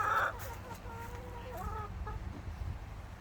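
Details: A chicken kept in a garden for fresh eggs gives a sharp opening note, then a few soft, low clucks and murmurs over about three seconds, with a steady low rumble underneath.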